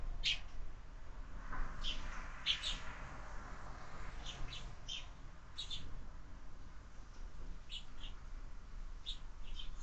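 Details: Sparrows at a window-mounted feeder used for year-round bird feeding: scattered short, bright chirps come in loose bursts every second or two over a steady low background hum.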